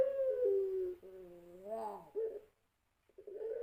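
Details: Puter pelung dove from a national champion line: a throaty starting note, then a rolling coo that bends up and down, a short guttural tail, silence, and the start of another coo.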